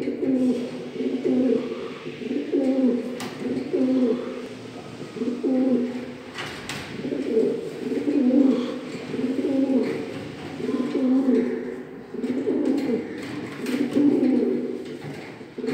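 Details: Small-breed Shiraz domestic pigeon, said to call very well, gives deep, throaty coos in a steady rolling series, indoors.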